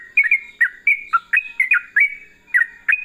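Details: Lively yellow-vented bulbul song, 'ropel' style: about ten sharp, bubbly whistled notes in three seconds, each quickly bending down then up, delivered in a hurried, uneven rhythm with brief gaps.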